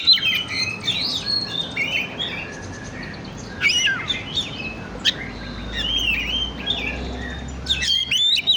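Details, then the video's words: Oriental magpie-robin song as a lure to stimulate birds: rapid jumble of chirps, slurred whistles and scratchy notes, with brief sharp bursts and a faint low rumble. "Pancingan burung kacer on"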